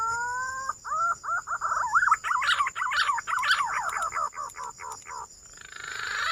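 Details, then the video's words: Green pigeon lure call: short whistled notes, then a rapid tumbling series of quavering whistles that rise and fall, fading out into hiss, with a steady high electronic tone throughout. "Suara burung Punai"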